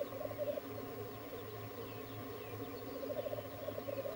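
Black grouse at a lek: a continuous, low, dove-like bubbling, with louder burbling phrases rising over it at the start and end, over a steady low hum.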